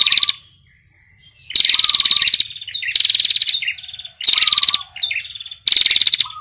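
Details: Long ngetirr trill of a female prinia, described as red-headed, summoning the male: after a brief lull, four strident, rapidly ticking high bursts roughly every 1.3 seconds, each followed by a lower chirp.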